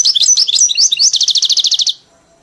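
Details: Tutored European goldfinch, caged, trained on a hybrid's "Mili" song. Varied twittering notes give way to an even trill of about a dozen identical chirps, repeated rapidly before stopping cleanly.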